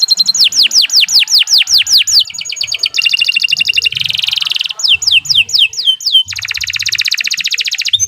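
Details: Canary song for training other birds: a run of fast descending whistles, then stuttered trills, a dense buzzy rattle, more swooping notes, and a long bright trill.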